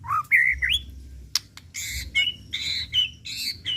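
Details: White-rumped shama kept for song contests giving rich whistled and buzzy phrases, some rising sharply, separated by brief clicks, against a low hum.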